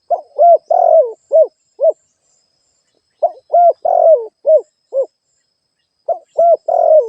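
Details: Spotted dove kept as a lure bird to attract others, giving three repeated cooing phrases about three seconds apart: clipped opening note, paired hollow coos, a drawn-out buzzy downward coo, then two brief coos; quiet background.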